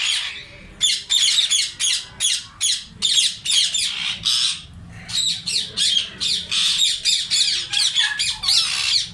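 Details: Colony of Indian ringneck parrots in summer producing a continuous run of rasping shrieks, short harsh notes repeated about three per second from several birds, with a brief pause midway.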